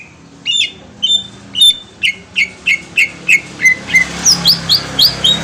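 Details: Green leafbird song used as a lure to make another bird answer, possibly from Kalimantan: a series of sharp whistled notes, about three per second, starting near one pitch then stepping higher, with a faint low hum behind.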